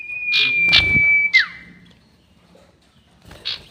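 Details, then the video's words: Sirtu bird lure call for trapping, long-whistle form. A steady, high, drawn-out whistle with buzzy notes overlaid ends in a falling slur, then a brief buzzy note follows after a pause. "SIRTU NYIUL PANJANG ..... ‼️ Cocok Untuk Pikat || Suara Pancingan Sirtu"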